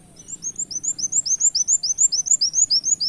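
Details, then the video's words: Brown-throated sunbird singing in canary style for bird luring: an even, quick series of high, bright upslurred notes, steadily repeated and closely spaced throughout. "Suara Kolibri wulung gacor tembak kenarian"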